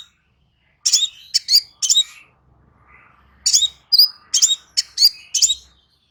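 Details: Crimson sunbird song, offered as a clear therapy track to get a silent bird singing again: two bursts of sharp, very high chirps and tinny trills separated by a quiet pause, with faint low rumble beneath.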